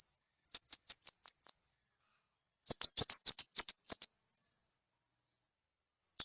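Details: Kamade lure call with two fast runs of high, thin repeated chirps, each run of about six to eight notes, followed by a short drawn whistle and silence.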